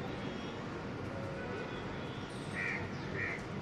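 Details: House crow in a city park in Delhi, India: two short, harsh caws near the end, about half a second apart, over a steady roar of traffic and city noise.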